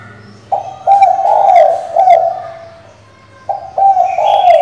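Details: Coo of a female spotted dove calling for a male, played to stir a decoy bird. Two coo phrases about three seconds apart, each a short note followed by a longer wavering hoot, with light chirps behind.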